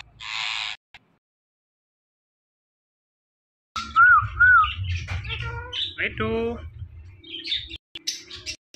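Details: Ringneck parrot talking after a short squeak and a long pause: two quick upslurred whistles, then a jumble of chattering, buzzy speech-like phrases over a low background hum.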